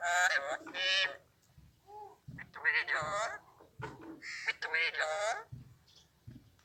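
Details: Mimicked words in Urdu, Hindi or Arabic from a talking Alexandrine parrot: loud, harmonic, speech-like syllables in quick groups, with one soft whistled note between phrases.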